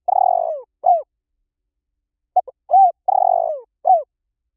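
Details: Spotted dove used as a fast-acting decoy call said to work in any forest. Low, mellow coos at a moderate pitch: a long drawn coo, then a short falling coo, followed by a pause and then clipped notes and another long-short pair. No other sounds.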